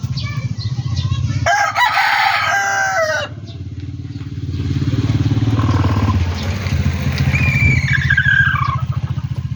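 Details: Chicken from a backyard poultry farm delivering a loud, ragged crow of about two seconds, with a motorcycle-like engine rumbling underneath and a softer, falling call later.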